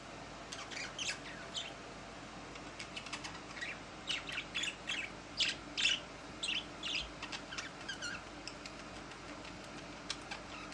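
Budgerigars chatter in quick, scratchy chirps and squeaks, bursts tumbling over one another at an uneven pace.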